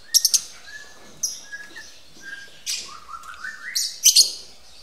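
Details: Lovebirds at a breeding facility, mating. A quick triple of shrill chirps is followed by softer squeaks and short whistles, then a rising whistled phrase and a final burst of sharp high chirps.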